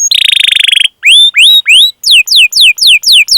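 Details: Canary in vigorous cuit-cuit rolling song used as training for other canaries; a brief buzzy trill, three loud upswept whistles, then a run of six sharp downslurred notes.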